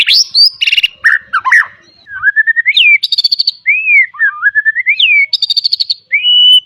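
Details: Song of a white-rumped shama meant as a tutor for young birds: harsh buzzy bursts, long rising and falling whistled glides, rapid stuttering notes and a clear sustained high whistle at the end.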